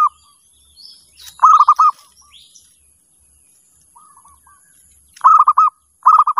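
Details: Calling zebra dove meant to draw other doves: bubbling, rapidly pulsed coo bursts repeated every few seconds with softer single coos between, a constant thin high-pitched hum behind.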